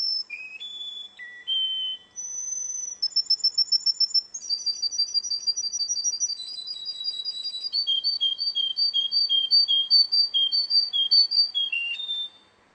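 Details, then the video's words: Contest song of a Russian canary: varied clear whistles change pitch, then give way to a long run of pulsed trill notes that step down in pitch, about two to three pulses per second. "kontes kenari rusia suara unik dan keren"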